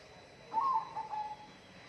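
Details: Wild bird giving a single short whistled phrase, a bright note that wavers and then trails off on a steady lower tone, lasting under a second against a quiet background hiss.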